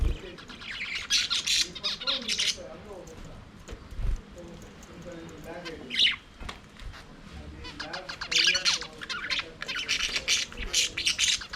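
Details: A flock of budgerigars singing and playing in their aviary, giving bursts of scratchy, chirping warble that rise and fall in waves, broken by quieter pauses and soft low rustling.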